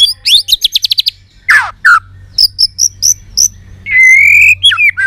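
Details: Highly excited White-rumped shama, many-voiced song. A fast even trill of about a dozen high notes, a steep downward sweep, spaced high whistles, then a long steady whistle and twisting phrases.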